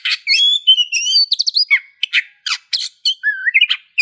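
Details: A varied, musical song from an Oriental magpie-robin, mixing sweet sliding whistles, clipped chirps and rasping notes in rapid succession, with brief silences between phrases.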